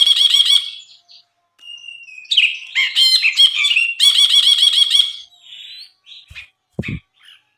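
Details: Actively singing Brinji (bulbul) on a tutor recording for cage birds: bursts of rasping, buzzy chatter alternate with clear whistled slurs, then softer scattered notes and a few faint clicks.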